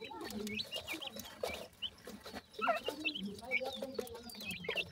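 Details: Grey francolin (teetar) chicks foraging with their family; rapid high downslurred peeps overlap lower clucks and scattered rustling.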